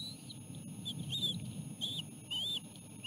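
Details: Osprey nest during a chick feeding with a small fish; several short, high whistled chirps in quick succession against low rumbling background noise.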